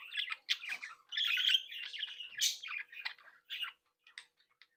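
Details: Happy chatter from a captive budgerigar breeding flock; chirpy bursts lead into a long scratchy warbled phrase, a sharp loud note, then a few more tweets trailing off into silence.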